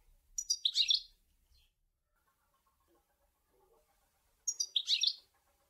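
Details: European goldfinch song from Sour El Ghozlane: two short, bright twittering phrases of rapid tinkling notes, separated by about three and a half seconds of near silence with faint low murmurs.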